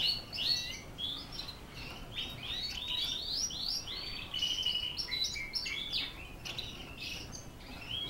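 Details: Border Fancy canary from Holland in continuous song: rapid rolling phrases of chirps, slurred whistles and bubbling trills run together without a break, high-pitched and lively throughout.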